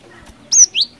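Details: Cinereous tit song used as a lure: a high slurred whistle followed by a shorter rising whistle, loud and clear.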